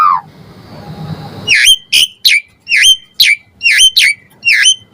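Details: Asian pied starling puffing up and singing, played as a lure for reluctant starlings: after a soft murmur, seven loud sharp whistled notes, each dipping and rising, repeated roughly twice per second.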